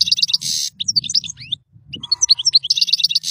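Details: European goldfinch song meant for teaching young birds: rapid twittering of short notes, buzzy trills and sliding whistles, broken by a brief pause midway, with a faint low hum beneath.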